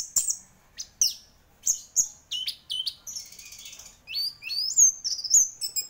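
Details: Champion orange-headed thrush singing hard, pouring out sharp high whistles and descending slurs in quick succession, a dense rattling trill midway, then upward-swept whistled phrases to the end.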